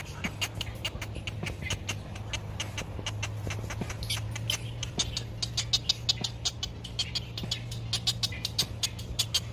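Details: Great egret chicks in a nest, in sunshine and waiting for a parent to bring food, give dry, rapid ticking begging calls, a few per second and quickening toward the end, over a steady low hum.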